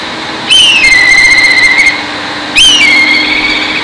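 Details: Two loud whistles about two seconds apart from a black kite singing on an electric pole among rice fields. Each begins with a sharp high note that slides downward into a drawn-out, trembling tone, over faint steady background noise.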